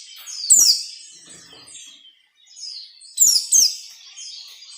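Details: White-eye ngalas nembak song used to train captive white-eyes: high rippling warbles with loud clicking, falling whistled bursts, a brief quiet gap, then another emphatic burst.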